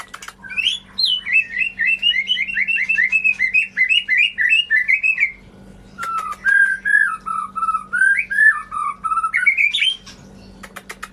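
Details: Shama song played to stimulate birds that stopped singing: a long fast trill of repeated whistled notes for five seconds, a short pause, then lower warbled whistles rising toward the end, low background hum.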